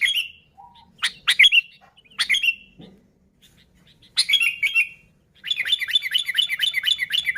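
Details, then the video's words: Sooty-headed bulbul singing actively, a wild recording used as a lure for bulbuls. Bubbly, liquid phrases come in short separated bursts, then run into a quick chain of repeated downslurred chirps toward the end. "Suara Burung Kutilang Gacor ASLI Tanpa isian"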